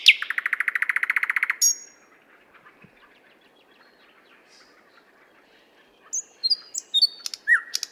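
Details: Song of a nightingale in a Moscow park, the 50th Anniversary of October park, captured on a RODE NTG-3 and ZOOM H6: a rapid buzzy rattle of pulsed notes, a pause with faint background, then high whistles and chirps.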